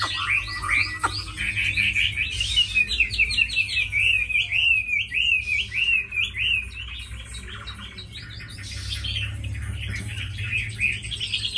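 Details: Tame Chinese hwamei, a good fighter with a fine voice, opening with sharp upward whistles, then a long run of rapid, evenly repeated zigzag notes, followed by looser varied phrases over a low hum.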